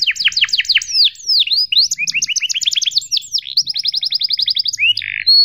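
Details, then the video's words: Long canary song meant to teach young birds: bursts of descending sweeps, rising slurred whistles, then a rapid even trill of repeated chirps ending with a harsh buzz and a high whistle. "PANCINGAN Kenari GACOR PANJANG EPS31 Cuit CUIT EMOSI AMPUH utk MASTERAN Kenari PAUD belajar BUNYI"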